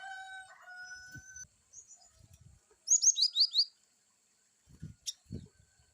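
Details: Cinereous tit (glatik batu) with varied wucit calls: a single quick burst of five or six high downslurred chirps, preceded by steady mid-pitched whistled tones from another source and followed by soft low thumps.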